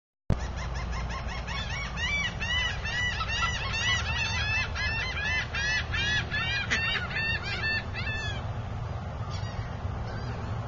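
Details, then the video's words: Pet duck quacking and complaining, kept alongside a mottled drake: a fast, steady run of harsh, rasping notes, roughly two or more each second for about eight seconds, then tailing off over a constant low background rumble. "Lois Quacking / Kvetching"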